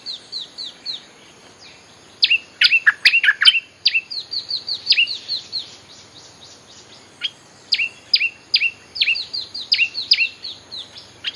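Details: Long bulbul lure sequence: repeated descending whistled notes broken by chattering chirpy phrases, used to draw in wild birds.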